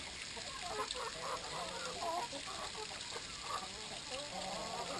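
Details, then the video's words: Brahma chickens gathering for water, a flock's low clucks and short burbling notes scattered across a few seconds, partly blurred by a constant background hiss and hum. "time for water - brahma chickens"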